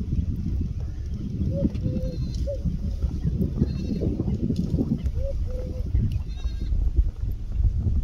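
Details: Eurasian collared doves, a flock in Bhigwan grasslands, Maharashtra, India, late afternoon in August 2022: soft low three-note coo, short-long-short, then a two-note coo a few seconds later, under steady wind rumble.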